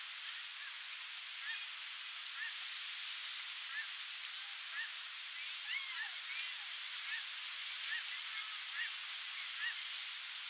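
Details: Black Oystercatchers on the Oregon coast in June 2018, nesting and foraging, give short, sharp piping whistles repeated every second or so over a steady hiss of surf.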